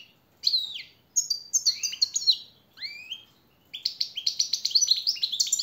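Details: European goldfinch singing a master training song for captive birds: clear downward-sweeping whistles and chattering phrases, then a fast rhythmic run of repeated twittering notes at the end.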